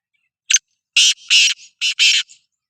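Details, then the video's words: Sindhi black francolin (kala teetar) calling: a brief sharp note, then four loud, harsh, rasping notes in two pairs, each pair joined by a softer buzzy note, in a quiet setting. "Kala Teetar Voice | Black Frankoline Voice | Sindhi Kala Teetar Voice کالا تیتر کی بولائی"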